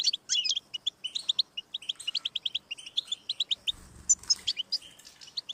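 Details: A European goldfinch sings to prompt a pet bird into song: quick, sharp chirps in close series, then richer trilled phrases, with a short low rumble in the middle.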